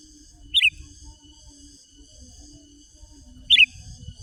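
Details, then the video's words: Sooty-headed bulbul singing, a lure recording for calling rival wild bulbuls: two brief bubbly, warbled notes about three seconds apart, over a steady high ringing hum and faint low background rumble. "Mikat Kicau Manai Menari Mencaru Lawan Kutilang Liar"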